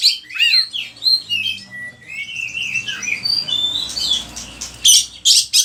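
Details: Oriental magpie-robin (kacer) singing on an Indonesian training recording: quick chirps and short whistles, a level whistled note, then softer warbling and a few loud harsh bursts near the end.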